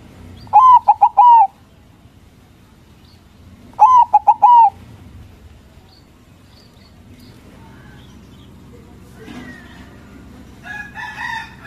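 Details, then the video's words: Zebra dove, white local bird, singing loud as a lure meant to make rival doves answer at once. Two bursts of quick rolling coo notes about three seconds apart, followed by faint chirps of other birds. "Perkutut Putih Gacor Suara BESAR bikin Cepat Emosi Lawan Auto Nyaut Seketika"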